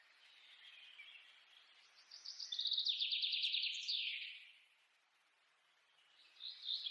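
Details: Quaker parrots preening each other; quiet scratchy chatter building into a loud, grating run of rapid chirps that fades, followed by a fresh harsh burst at the close.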